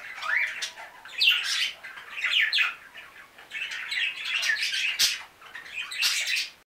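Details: Chirping from five new budgerigars: bursts of raspy warbling and sharp squawks rising and falling in waves, with one short click near the end.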